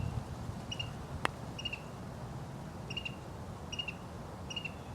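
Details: A Carolina wren at the Ohio State University wetlands on January 25 gives five short, bright notes, spaced about a second apart, over a steady low outdoor rumble, with one sharp click.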